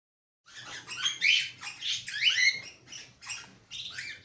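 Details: A breeding 7-year-old cockatiel and neighbouring cockatiels chatter in bursts of scratchy, warbling chirps with rising and falling notes.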